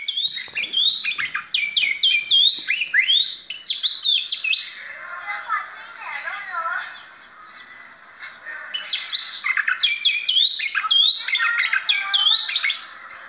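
An Oriental magpie-robin sings a rich, varied run of clear whistles, quick rising and falling notes and scratchy chatter, pausing briefly between bursts of phrases.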